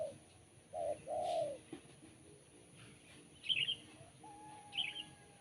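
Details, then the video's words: Spotted dove with a sharp, crisp voice giving a short coo pair, a soft note then a longer hoot, followed by quieter high chirps from other birds and a thin whistle. "Poin BL Kuk 1 Suara Mersik Tajam"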